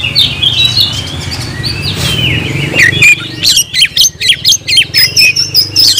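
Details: Oriental magpie-robin giving a quiet warbling passage, then a string of loud, clipped chattering notes with a sustained high whistle mixed in, over steady low hum.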